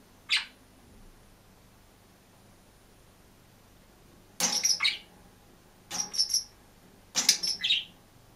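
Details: Caged budgerigar by itself, chirping: one quick chirp, a long silence, then three short bursts of raspy chattering chirps over faint background hiss.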